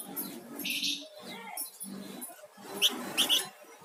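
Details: Flamboyan songbird singing energetically, giving short bright buzzy chirps in two bursts with a sharp trill near the end, over a low murmuring background hum.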